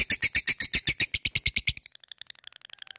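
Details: Labet fighter bird calling out an opponent: loud rapid ticking chatter, about eight sharp high notes a second, for nearly two seconds, then fading to soft scattered ticks.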